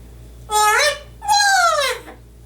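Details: Male yellow-naped amazon parrot, a household pet, singing the drawn-out word "waaaay" from "Oh Lord It's Hard To Be Humble": two sustained, tonal, vibrant notes, the second longer and gliding downward, indoors.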